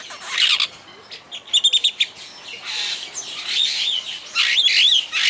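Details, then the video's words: A bird park superb starling at Walsrode, Germany, sings a scratchy burst, a rapid string of clipped repeated notes, then a long rambling warble with wavering whistles. "superb starling sings"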